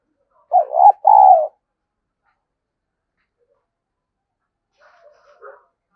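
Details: Spotted dove used as a decoy to excite other doves gives one clear, low two-part coo, a short opening note then a sustained hollow one. After a long silence come a few faint, distant notes.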